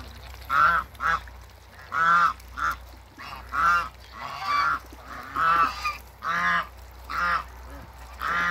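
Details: African geese couple at a waterbird farm calling in a long series of loud, harmonic honks, about ten bursts spaced close to a second apart, over a constant low hum.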